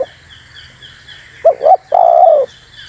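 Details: Spotted dove calling as a lure for wild doves: after a pause, two short rising coos lead into one drawn-out, gently descending coo, over faint high chirps.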